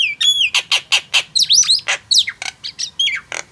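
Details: Nias hill myna pouring out a fast chain of harsh, loud notes and twisting whistles, close together, slightly fading toward the end.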